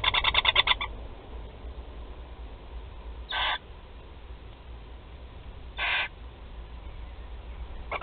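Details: Barn owl chicks, four of them, at feeding time in their nest at Théding on 16 July 2020: a quick burst of rasping, ticking pulses, then two separate short, breathy hisses a few seconds apart over quiet background.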